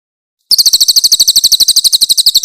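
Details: Grey-headed canary-flycatcher, known locally as cililin, pours out a fast burst of strident high chips after a half-second pause. The notes come about ten per second, evenly spaced, and the recording is clear.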